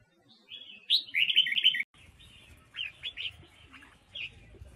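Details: Female Huế red-whiskered bulbul song meant to rouse wild-caught males: a loud rapid warbled phrase ending abruptly, then quieter scattered notes and chirps over low background rumble.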